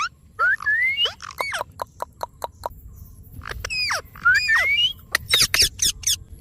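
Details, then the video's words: Ringneck parrot producing rising, slurred whistles mixed with rapid sharp clicks and chips, then loud harsh screeching bursts near the end. "Amazing Ringneck Parrot Natural Sounds"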